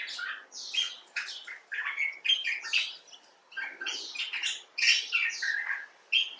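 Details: Common bulbul, one of several individuals, some rescued birds and others wild, giving expressive chattering talk: a rapid, uneven run of bright, squeaky chirps and slurred notes in bursts with short pauses.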